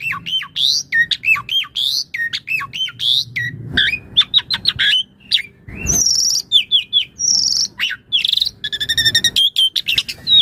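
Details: Asian pied starling (jalak suren) in full master song for tutoring other birds, a dense fast medley of high whistles, squeaky slurs, buzzy trills and chattering notes with few pauses.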